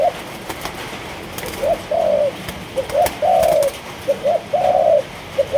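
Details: Caged Malaysian spotted dove repeating its coo about every second and a half. Each phrase has one or two quick lead-in notes and then a longer, soft, steady coo. Scattered clicks sound in the background.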